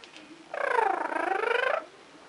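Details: Pet green-cheeked amazon parrot making a drawn-out, buzzy, pulsing call of just over a second. The call is rough and wavering with a slight dip in the middle, heard over quiet indoor hiss.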